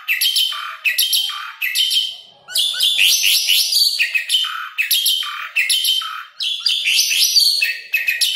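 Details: Asian pied starling song played to train and lure caged starlings: continuous loud, scratchy chattering interspersed with whistled and squeaky notes, forming dense repeated phrases.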